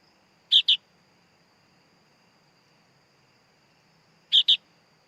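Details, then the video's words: Baby sooty-headed bulbul making two sharp, buzzy double calls nearly four seconds apart over a low continuous high-pitched hum. "Suara Anak Burung Kutilang Bayi Kutilang"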